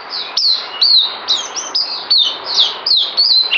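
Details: Kept songbird known as a white-eye (puteh), recorded 9 December 2018 around deworming, sings a continuous high warbling stream of rapid sweeping, slurred whistles and chirps, phrases breaking about every half second with brief pauses.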